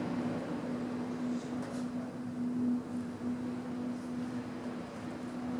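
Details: Steady low mechanical hum under faint background noise, with no animal sound.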